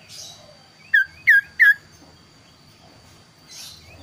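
Kaso-kaso bird giving three quick, clear notes, each sliding down, about a third of a second apart, over a faint steady high whine.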